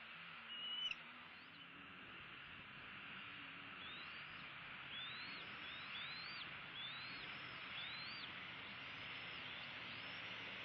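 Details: A Bald eagle, up close at feeding around sunrise on 6 February 2016 in southwest Florida, gives thin, high whistled chirps, a run of quick rising-and-falling notes about twice a second, over a steady background hiss.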